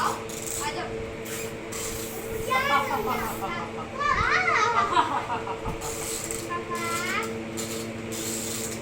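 A Moluccan cockatoo gives bursts of human-like laughter, quick rising 'ha-ha-ha' notes in three bouts, over a steady indoor hum.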